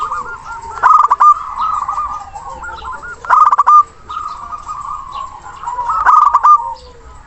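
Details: Zebra dove, a local bird with a strong, long-breathed song, calling a rival: clipped staccato notes repeat roughly every two and a half seconds, each followed by long, purring, rippled coos.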